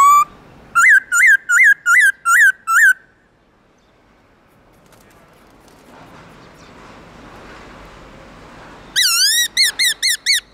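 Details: In the morning a black-throated laughingthrush sings its 'forest voice' song: seven rapid, bright, hooked whistles, a long quiet gap with faint background noise, then another quick burst of five or six clear, overtone-rich notes.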